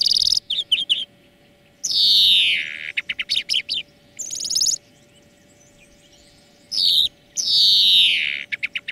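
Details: European greenfinch singing on a training track for cage birds: drawn-out nasal wheezes that slide downward, mixed with quick chirps and short trills, over a steady faint background hum.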